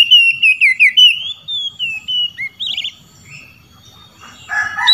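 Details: Oriental magpie-robin singing in the loud, open ngeplong style to call out rivals: a run of clear, slurred whistles, a quick trilled burst, then quiet before rough notes at the end; a steady faint hum underneath.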